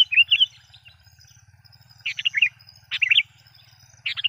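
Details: Sooty-headed bulbul calls used to lure wild bulbuls: short bubbly chirping phrases of a few warbled notes, repeated roughly once a second with pauses, over a faint low hum.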